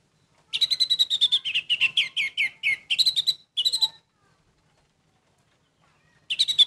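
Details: Orange-headed thrush delivering a rapid string of sharp, repeated chirps that drift downward in pitch, then a few louder notes, a silent gap of over two seconds, and a fresh burst at the end.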